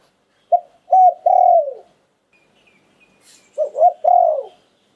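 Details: Two three-note cooing phrases from a spotted dove in 'liu tan' song style, a short note, a looped coo and a long descending coo, separated by about two seconds of quiet with a faint chirp.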